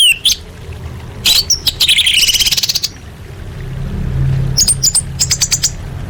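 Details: Calls of a female orange-headed thrush summoning males, played to coax quiet birds into song: harsh chattering bursts and high ticking notes in fast runs, then a string of evenly spaced sharp chips against steady low rumble.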